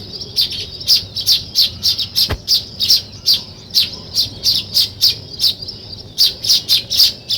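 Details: Weaver birds building a nest utter rapid, sharp chirps, about two to three every second in an uneven, steady series, high and scratchy, with a single brief click midway.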